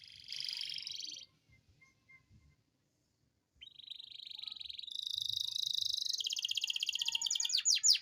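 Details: Domestic canary with a long rolling song meant to prompt reluctant canaries to sing; a short buzzy trill, a pause, then a sustained rising roll that builds into rapid loud chattering trills toward the end.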